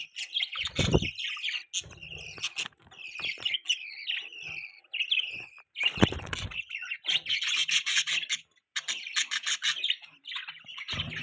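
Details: Budgies give sweeping high chirps and warbled phrases, then denser chattering, with a few low thumps and knocks between.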